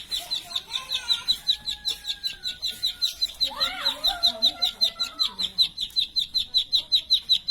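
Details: High, metallic chirps from a plain prinia repeat quickly and regularly throughout, roughly two and a half a second, while softer lower calls and a short warbling burst from another bird mingle in the background.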